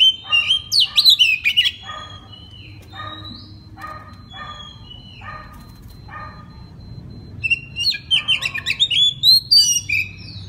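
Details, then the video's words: Oriental magpie-robin at night in full open song, used as a lure so other magpie-robins answer: quick bursts of sharp chirps open and close a stretch of harsh rasping notes with soft whistles, over low background hum. "TERAPI MALAM KACER NGEPLONG AMPUH UNTUK PANCINGAN KACER BAHAN AGAR NYAUT BUNYI GACOR"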